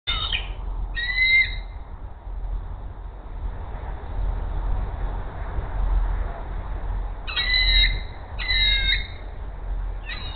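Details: Female bald eagle giving her food siren as the male flies in with a rat at the Hays nest, 10:39 AM: high, squealing calls with sliding tones in short bursts near the start and again around seven to nine seconds, over low rumble.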